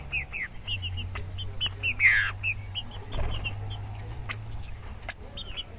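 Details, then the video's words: A Green-winged saltator, said to be singing loose, gives rapid bursts of short, bright chirping notes with a brief buzzy rasp midway, over a steady low hum. "TRINCA FERRO DESTRUINDO SOLTO"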